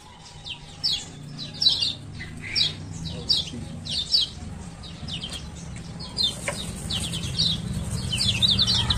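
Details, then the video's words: Male kecial kuning (Lemon-bellied White-eye), Lombok, ciak ciak calls used to coax silent birds. High chirps roughly every second, then a faster twittering stretch, over rising low rumbling noise. "Pancingan Kecial Kuning Malas Buka Paruh"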